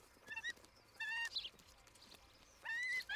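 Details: Osprey at its nest in Charlo, Montana, filmed by a nest camera on the morning of 07-11-2018. Three short, drawn-out whistled notes with bright overtones, each under half a second, separated by quiet gaps with faint background hiss.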